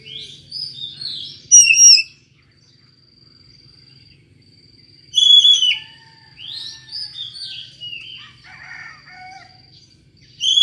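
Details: Magpie-robin with a strange voice, sung to lure another magpie-robin into singing: bursts of bright whistles and rising slurs with scratchy, chattering notes, separated by a few seconds of near-silence. A faint steady high tone runs throughout.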